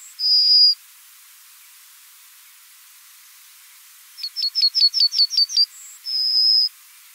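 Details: A male Yellowhammer's spring song from Austrian farmland: a quick run of about eight short, thin repeated notes, then a long, drawn-out high final note, with a similar long note opening the clip.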